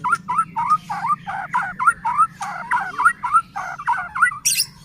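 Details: White-rumped shama (murai batu) song used to provoke other shamas: a short slurred whistle repeated roughly twice a second in a steady series, ending in a high squeaky note, with a low hum underneath.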